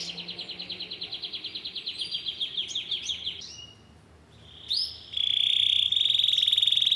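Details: Yellow Belgian canary singing at length: a rapid pulsed trill repeated about three times a second, then a brief pause and a steady, piercing high whistled trill held to the end.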